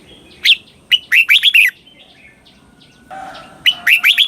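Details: Song of a red-whiskered bulbul in southern master style, used for teaching young birds: quick runs of rich, slurred whistles in two phrases with a short pause between.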